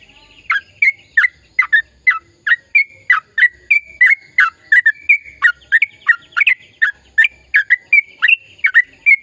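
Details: Sooty-headed bulbul in lively, long rapid-fire song, used to stimulate silent birds to sing: a fast stream of short, bubbly, whistled notes, about three per second, sliding up and down, with no gaps.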